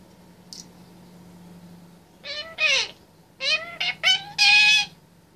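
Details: A 25-month-old caged Indian ringneck parakeet, a male, talking: a faint high squeak, then loud harmonic bursts, one slurring downward, followed by three quick chattering phrases over a low steady room hum.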